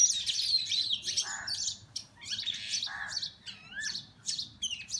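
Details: Oriental magpie-robins fighting, recorded on a mobile phone. The birds give a jumble of high, sweeping whistles and sharp chirps, mixed with short, buzzy lower notes, in irregular bursts.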